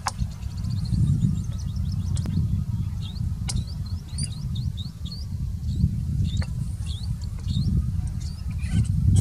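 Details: A long-tailed shrike closely mimicking a purple sunbird gives quick, high, thin upslurred notes, repeated through the clip over a steady low rumble.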